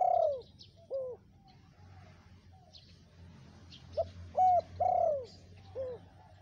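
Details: Spotted dove (tekukur) calling in the lively gacor style, used to lure wild birds: a series of low, hoarse coos of varying length, with a sparse start and a denser cluster near the end.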